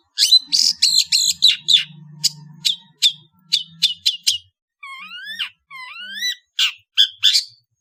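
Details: Indonesian long-tailed bird singing in the afternoon: a fast chattering string of harsh high notes, then a series of clear rising whistles, ending in scratchy chips, over a faint low hum.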